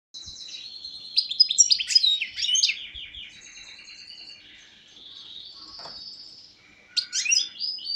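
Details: A European goldfinch caught the previous year sings a fast, tinkling stream of liquid twitters and buzzy trills, high-pitched and rambling, pausing briefly before a final bright burst.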